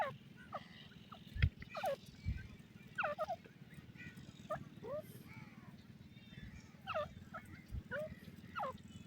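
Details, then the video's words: A francolin, likely a grey francolin (teetar), gives short, harsh, rising chirps in loose series, several every second or two, over a steady low mechanical hum. "teetar ki darnay waliy awaz,partridges bird khofnak sound"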